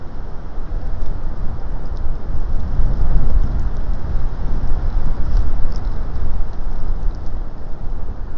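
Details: Heavy buffeting wind roars and thumps against the microphone throughout, and no animal calls come through.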